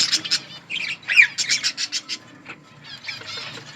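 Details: Outdoor colony budgies eating and calling, a quick run of short harsh chirps about three per second, with a twisting warble in the middle and softer chatter at the end.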